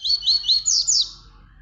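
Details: Tui Tui bird song used to train young birds: five loud, high, rising whistled notes in quick succession, the last ones brighter and sweeping, then a faint low hum.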